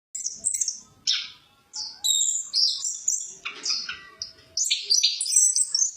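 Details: Chestnut-capped thrush song kept as a tutor for other birds: loud, varied phrases of rich whistles and harsh, scratchy high notes, delivered in bursts with brief gaps, each phrase changing in pitch and texture.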